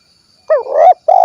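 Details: Spotted dove, 'kuk 1' style, Cilacap, Central Java: one wavering, upward-bending coo, then a short gap and the start of a second, steadier throbbing note that is cut off.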